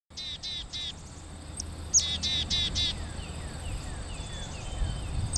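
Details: Black-capped chickadee calling from a nearby tree in summer 2011, two quick runs of harsh, buzzy dee notes, three then four, thin high whistles from another chickadee in the distance, low outdoor rumble behind.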